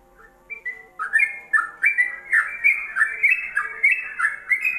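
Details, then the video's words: Ropelan-style song of a yellow-vented bulbul, made for training songbirds: soft low whistles, then loud bubbly whistled phrases repeated about three times a second, each a quick rising-then-falling warble. "Ropelan Trucukan WK untuk Masteran"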